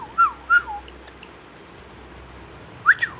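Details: Indian ringneck parakeet whistling: two quick bent whistled notes close together, a long quiet pause, then a louder pair of rising-falling whistles at the end over low background hiss.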